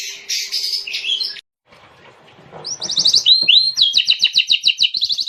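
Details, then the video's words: Oriental magpie-robin (kacer) singing a rich, varied song meant as a lure and master for training: a scratchy chattering passage, a short pause, then fast rapid-fire trilled phrases of repeated whistled notes. "Suara burung Kacer Isian Mewah, Buat pancingan dan Masteran"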